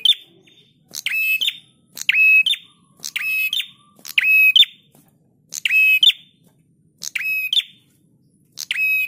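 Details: Prinia song for teaching cage birds: a lively run of eight buzzy, crackling phrases, each capped by a bright upward note, coming about once a second in a steady repeated pattern.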